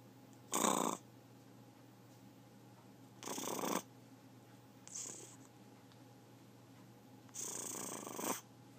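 A macaw gives four harsh, raspy growls, each about half a second long, spaced unevenly over nine seconds, with quiet room hum between them.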